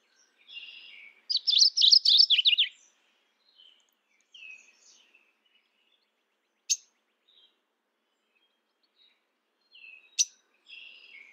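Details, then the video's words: Mourning warbler calling: a single energetic phrase of rapid, slurred chirping notes lasting about one and a half seconds, surrounded by soft short whistles and a couple of sharp ticks. "Mourning warbler Calling."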